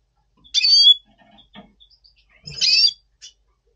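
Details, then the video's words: Red siskin of double pastel colouring, November 2023, in pre-breeding voice: two harsh buzzy high bursts about two seconds apart, near silence between. "Red Siskin 🦩Double Pastell 🔥FeuerZeisig before Breeding - Voice Brutstimmung"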